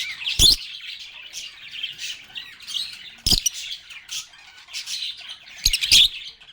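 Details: Steady high squawking chatter from lovebirds, punctuated by three loud sharp knocks or clicks spread across the recording.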